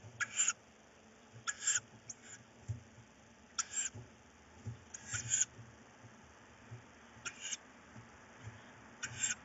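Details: Tawny owl chicks fighting over prey at night, one chick holding a bird, 4 May 2018 around 22:15; six harsh, hissing bursts, each under half a second, repeated roughly every one to two seconds over a low background hum.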